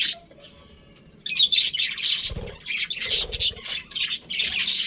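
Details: Quiet opening gives way to a loud wave of budgie chirping from a colourful breeding colony, with harsh squawks and rapid squeaky notes layered over each other, plus a few low thuds.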